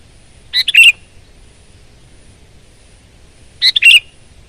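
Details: Gacor full-power song of a sooty-headed bulbul: a short chirpy, bubbling phrase of three quick notes, silence for about three seconds, then the same phrase repeated.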